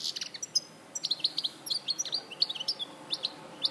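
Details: Larache goldfinch, 2014, delivering clipped, high-pitched chirps and twittering phrases in quick clusters separated by brief pauses, bright and metallic in tone.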